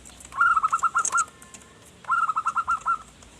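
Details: Zebra dove cooing, kept to lure forest birds: two bursts of rapid rolling coos, about seven notes each, separated by a pause with a faint thin tone, plus a few high chirps from other birds.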